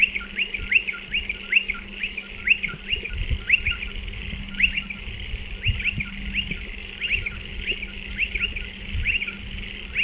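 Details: At nesting burrows in a dry stone wall, a striated pardalote gives a rapid run of high, clipped upswept notes, several per second, against a faint low hum and light rustling.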